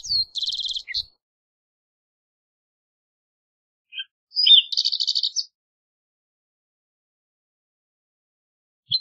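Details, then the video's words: Green-tailed towhee giving two song bursts several seconds apart, each a short downslurred note followed by a dense, buzzy trill, with faint low thumps in the background. "Green Tailed Towhee Singing! Green Tailed Towhee Calling! - Toqui Coliverde Canto - Pipilo Chlorurus"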